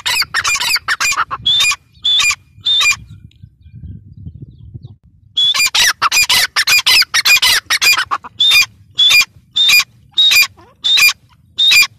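A grey francolin gives loud, harsh, high-pitched calls in quick rhythmic bursts, about two a second, with a short pause before the calling resumes.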